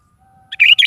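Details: In the morning a sooty-headed bulbul sings vigorously, giving one rapid, bubbly phrase of two warbled bursts after a short introductory note. A faint steady hum sits underneath.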